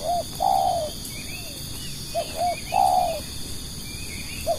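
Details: Spotted dove kept as a lure for other doves, cooing in hollow mid-pitched notes: a short note, a long downslurred coo, paired short notes and another long falling coo, over a faint background hiss.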